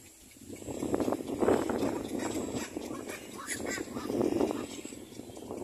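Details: Little black cormorant bringing food to its chick: loud, hoarse, quacking-like pulsed calls in two swelling bursts, with rough chattering between them.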